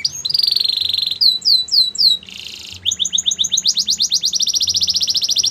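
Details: Captive Belgian canary in full song, moving from a high buzzy roll through looping downward sweeps and a harsh rasping burst into rapid repeated chips and a dense, even trill.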